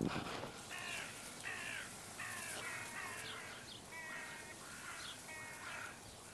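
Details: Many young crows of a late-hatched brood squabbling and quarrelling outside a zoo window; hoarse, nasal caws in short bursts, several birds overlapping, repeated every second or so over a steady background hiss.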